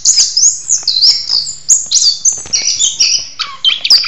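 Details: Orange-headed thrush in its mating ritual, pouring out very high, piercing whistles and twittering runs, phrases changing quickly, loud and unbroken throughout.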